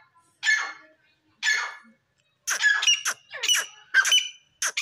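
Grey francolin giving two harsh, grating notes, then a quick run of loud, scratchy repeated phrases, each about half a second apart.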